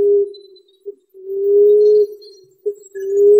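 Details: An emerald dove (Chalcophaps indica) gives soft, low, hollow moaning coos, each about a second long and swelling slightly, with short clipped notes between, against a quiet background.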